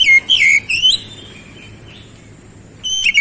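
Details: Oriental magpie-robin singing to prompt a silent bird: a warbled run of sweeping whistles at the start, a long quiet gap, then a brief whistled phrase at the end.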